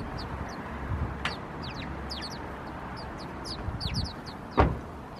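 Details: Group of House Sparrows, Helsinki, Finland, 16 September 2021, including a white-capped individual; brief sharp chirps in quick irregular bursts, a loud knock near the end, constant low traffic-like hum beneath.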